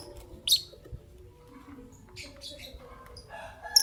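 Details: Shrill high chirps from Green Personata and albino lovebirds in the morning, one sharp squeak, a short chattering run, then another piercing note, over near-silent background.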